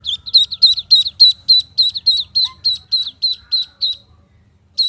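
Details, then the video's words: Duckling peeping loudly: a rapid, very regular series of high, short chirping notes, about four per second, running for nearly four seconds, then a pause and one more peep, with faint low background rumble. "duckling sound | duckling noise | duckling voice"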